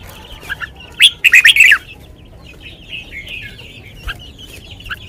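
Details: Red-whiskered bulbul kept as a cage bird, singing the sweet 'lak wai' song style: one sharp note, then a rapid, loud run of four or five bright warbled notes, followed by quieter rambling chirps and twitters.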